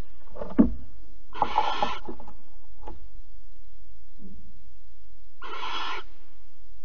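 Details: Barn owl at Alphen, 15 April 2020, during a mouse handover and mating: two broad, breathy hissing bursts separated by a few seconds, with scattered soft clicks and knocks between them.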